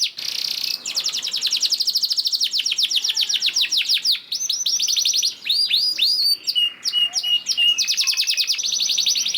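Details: Canary lure song used to make other canaries sing: a buzzy note into a long accelerating rattle of clicks, then ringing downslurred whistles and short repeated notes.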